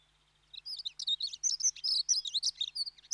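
A Dunnock sings a fast, high, jangling warble of thin squeaky notes, tumbling along for about two and a half seconds with no other sounds.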